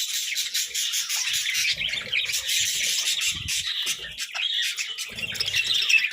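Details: A group of pet budgerigars chatter while munching vegetables, a constant mix of high trilled warbles and short chirps, with faint tapping and crunching beneath.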